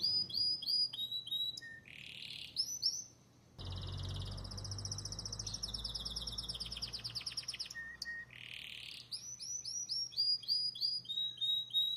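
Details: Belgian canary singing a long varied song: repeated descending whistled notes, rapid buzzy trills and rolling phrases, with a brief pause partway through, then more quick sliding notes; faint low hum underneath.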